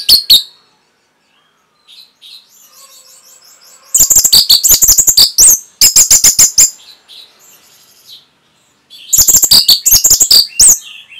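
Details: Caged-bird training song of the orange-headed thrush: loud, dense strings of sharp high chirps and trills in long bursts, separated by soft low twittering and brief silences.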